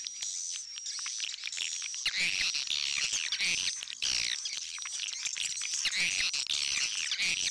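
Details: Swiftlet sound in the old-style versus inap akau styles, used in Indonesian swiftlet farming to lure birds into a swiftlet house: dense, high twittering chirps over a steady thin high whistle.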